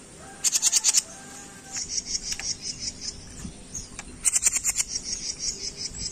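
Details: A small jenggot bird, recorded as a tutor song for other birds, gives quick bursts of sharp, very high chattering notes, a tight run near the start and another about four seconds in, with softer twittering between.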